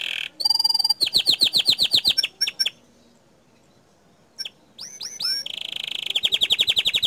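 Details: Loud gacor dor canary: a fast pulsed trill, a string of swooping notes, a brief lull, then more upward-curving whistles ending in a steady rolling high trill.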